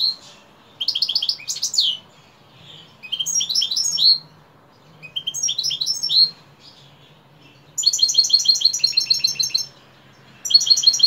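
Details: Evening singing of a European goldfinch: five energetic bursts of high twittering notes, buzzy slurs and rapid trills, each about a second long with brief pauses between them.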